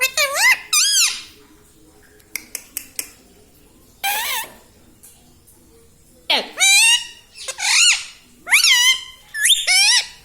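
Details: Talking pet parrot copying human words like "mummy papa" in a small room: a run of bright, nasal, voice-like syllables that arch up and down, a few soft clicks in a gap, then denser chattering phrases.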